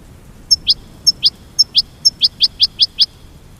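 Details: American goldfinch mating call: crisp high chirps spaced at first, each a sharp tick followed by a rising sweep, then a quicker run of five toward the end.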